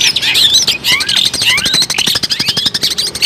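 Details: Long-tailed shrike in full, energetic song, used as a lure for trapping birds: a rapid, varied chatter of high whistled slurs and sharp chirps, with dense clicking notes and some rising and falling sweeps.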